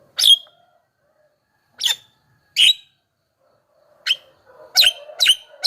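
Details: Javan myna used as a lure for wild mynas, giving loud, harsh broadband notes spaced irregularly, singly at first and then in a quicker cluster of three at the end, with brief low hum between them.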